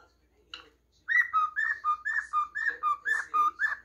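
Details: Singing pet cockatiel gives a brisk run of about ten short whistled notes, alternating higher and lower pitches roughly four per second, after a single faint opening note; indoors, otherwise quiet.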